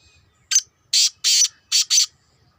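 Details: Kept black francolin, two years old, calling once: a short sharp note followed by four strident, scratchy, grating syllables in two quick pairs, the whole phrase lasting under two seconds, with near silence around it.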